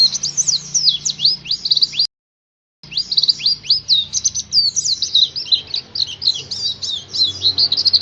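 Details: Oriental white-eye song used as a lure to get caged birds singing: rapid high twittering of sweeping, chirpy notes in fast runs, broken by a brief silent gap near two seconds, then resuming densely.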